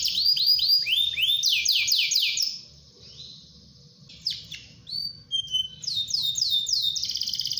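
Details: Energetic canary song used to prompt other canaries to join in: fast looping downward sweeps, a short quiet gap, then whistles, bright sliding notes and a final rapid trill.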